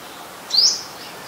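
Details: Adult Common Tailorbird, a common resident of Ubon Ratchathani, Thailand, recorded 3 February 2023: one short, piercing, rising whistle-like chirp against quiet background noise.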